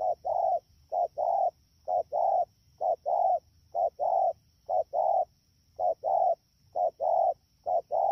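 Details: Wild-caught spotted dove at Đak Tô in the rainy season, 3 October 2019, cooing fast and steadily: eight rhythmic pairs of a clipped note and a fuller hollow note, roughly one pair per second.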